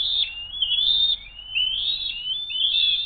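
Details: Eagle nest scene on 07-02-2023, 12:10, with an attempted food steal and brief kerfuffle; high thin whistles run together almost without pause, with upward slurs and wavering pitch.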